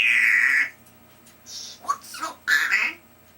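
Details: A three-year-old pet African grey parrot that talks a lot gives a steady, bright whistled tone lasting under a second, followed by short squawky, speech-like syllables after a brief pause.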